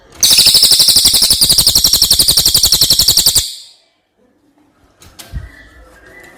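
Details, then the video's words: Loud, extended rolling trill of a brown cililin, a bird from outside Java kept as master song for training others: more than three seconds of rapid, uniform, high-pitched notes, then quiet with a few knocks. "Suara burung cililin buat masteran"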